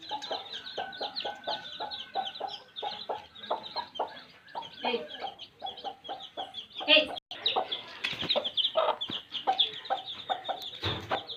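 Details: A group of baby chicks in village life peeping in high, rapid cheeps over low clucking pulses. A sharp click and brief clatter interrupt midway before the chorus resumes.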